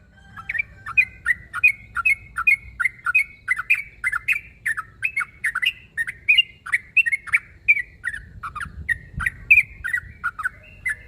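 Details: Sooty-headed bulbul calling a rival, pouring out continuous rapid chatter of short, liquid, upslurred and downslurred notes for over ten seconds, with a faint low rumble underneath.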